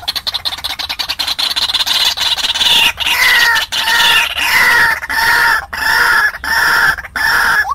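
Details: Decoy recording of a white-breasted waterhen meant to bring wild birds to a trap: rapid clicking stutters build into a descending slur, then evenly spaced, loud, nasal call blocks about every 0.7 seconds.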